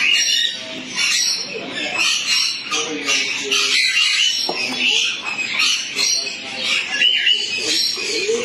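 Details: Hand-reared black-capped lory at a bird store keeps up loud, harsh chatter, grating screeches and squawks tumbling together in a steady, almost voice-like babble.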